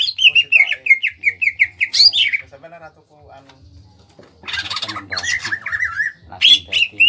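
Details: Captive greater green leafbird from Kalimantan, a small-bodied bird, singing in full voice: rapid runs of loud slurred whistled notes, repeated and trilled, broken by harsh chattering bursts, with a low rhythmic hum underneath.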